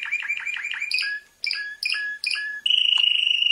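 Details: Prize-winning canary delivering quick descending rolled notes, a series of sharp two-part chips with short pauses, then a bright, steady, rapid trill.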